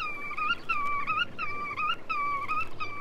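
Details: Short series of Black-tailed Godwit calls from a Soviet record of wader voices (1961–1981): around five drawn-out, slurred nasal notes, each dipping then lifting at the end, over low hiss.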